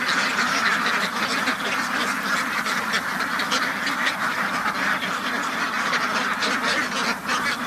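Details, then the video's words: Many ducks on a farm quack continuously in a dense, overlapping chorus of harsh, nasal calls with no pauses. "duck farm ducks house بطخ بطخوں کا فارم"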